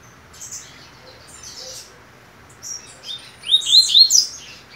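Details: A caged double-collared seedeater, the day before a competition, sings with its mate nesting beside it: faint high chirps at first, then a brighter burst of quick, sliding whistled notes near the end.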